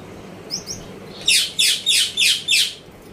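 Gouldian finch giving five harsh, high chirps in quick succession, about three per second, after two faint thin notes; otherwise quiet.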